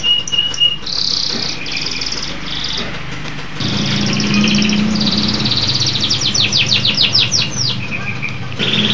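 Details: Local canary alternating short whistles with buzzy rolls and a fast series of descending sweeping notes, against a low hum that swells midway.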